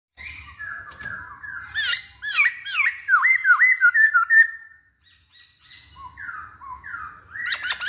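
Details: Masked laughingthrush singing vigorously, a recording used to provoke other birds into song: loud slurred whistles and rising-falling notes in quick varied phrases, a short pause, then softer lower whistles and a final sharp burst.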